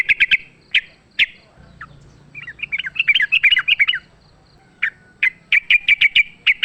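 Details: Sooty-headed bulbul fighting song from the wild, meant as a lure: clusters of bright chips, a jumbled warbling middle section of varied notes, then a steady fast string of repeated chirps.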